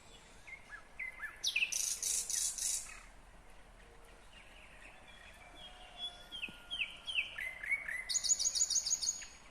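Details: Varied nightingale song from Kyrgyzstan, 2020: a sharp phrase opens into a loud, high buzzy stretch, then a pause, then a run of descending whistled notes and a fast, high rattle.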